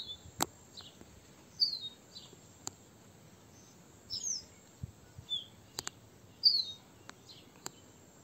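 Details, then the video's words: A Crested Bunting, whose call is a hard "chik", gives short, high chirping notes at irregular intervals over a steady thin whine of insects and a few sharp clicks; finding: crested bunting. "Crested Bunting call"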